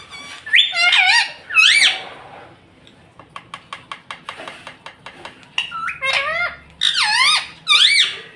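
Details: Pet rose-ringed parakeet, a talking parrot indoors that says words such as mummy, papa and mitthu: loud harmonic rising-and-falling squawky notes in two bursts, then a run of quick dry clicks, then three more bending calls.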